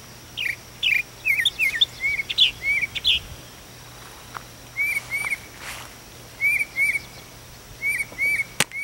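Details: Northern-style mockingbird perched on a house chimney at daybreak, calling out every morning; varied sharp chirps and short whistled notes, some rising, others downslurred, in quick bursts with pauses, heard clearly over faint background hum.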